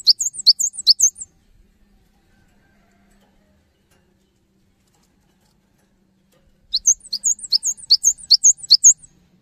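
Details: Cinereous tit song meant to prompt other tits into singing, two bursts of rapid high two-note chirps, each burst about a second and a half long, separated by several seconds of silence.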